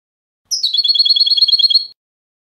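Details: European goldfinch canto limpio, the clean contest song used for educating young goldfinches. A high opening note leads into a rapid trill of about fifteen evenly spaced chirps that stays at a steady pitch for just over a second.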